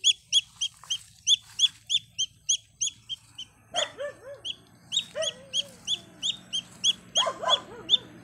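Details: A baby chick looking for its mother peeps loudly, shrill and high, about three times a second, with a few lower, squawky clucks breaking in partway through.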